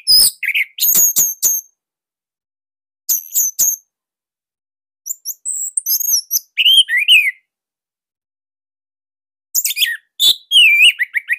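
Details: Loud, dense orange-headed thrush song used to coax young speckled or stalled birds into song: separate bursts of rapid high chips and slurred whistles with short gaps between, phrases varied and quick.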